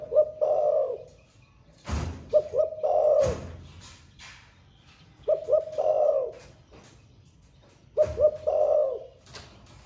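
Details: Spotted dove with a 'thổ pha' voice, said to keep cooing all day: four low, hollow cooing phrases roughly every two to three seconds, each of brief introductory notes and a longer throaty coo, with sharp knocks between.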